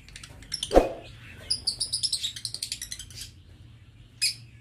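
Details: Lovebirds in an aviary cage utter a quick series of thin, high squeaky chirps, with a dull knock early on and one last sharp note after a pause.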